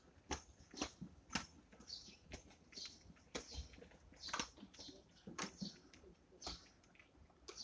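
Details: Morning feeding of Eurasian tree sparrows, with sharp tapping and pecking clicks about once a second mixed with brief high chirps and a faint murmur.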